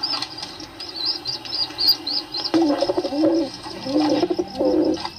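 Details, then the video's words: Pigeon calls: thin high chirps at first, then two bursts of low throaty cooing, with faint room noise behind. "Pigeon sound"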